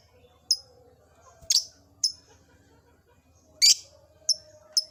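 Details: Caged lovebird in an old cage, starting to ngekek: loud, piercing high chirps, some short and ringing, two harsher and broader, spaced roughly half a second to a second apart.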